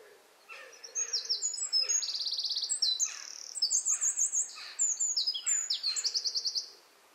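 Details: Eurasian wren, called jenny wren, singing in a garden near its nest beside a house: an energetic high-pitched burst of piercing notes and rapid rattling trills lasting about six seconds, with a faint low whistle underneath.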